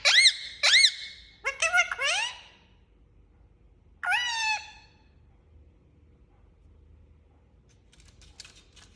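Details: Indian ringneck parakeet, described as angry, giving a burst of harsh arched screeches and chattering notes, then a lone rasping call, followed by several seconds of near quiet in a small room.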